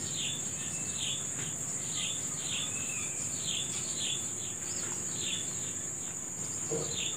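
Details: Morning bird song of quick descending chirps in a steady series, with a brief lower warble midway, over a constant shrill insect buzz.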